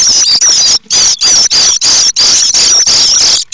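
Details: Common starling nestlings at Théding, France, 7 May 2024, rising eagerly as they sense a parent arriving with food: loud, continuous, hissing, shrill begging in long bursts with brief gaps.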